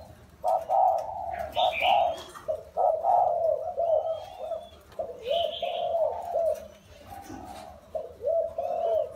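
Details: Four-year caged wild-caught spotted dove gives repeated low hollow coo phrases, pausing between runs, with faint thin whistles and brief higher chirps above.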